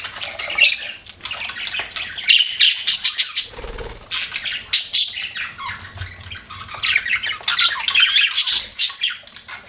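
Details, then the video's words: Budgerigar chatter from pet birds: a steady stream of high, scratchy chirps, squawks and short whistled notes in close, overlapping bursts, dipping briefly near the middle. "BUDGIES CHIRPING SOUND"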